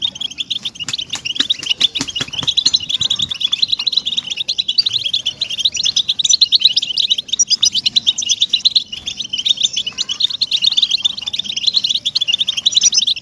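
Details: Motivational European goldfinch song for captive birds: long unbroken stream of quick liquid chirps and trills, high and bright, with several sharp clicking taps in the first three seconds and low rumble beneath.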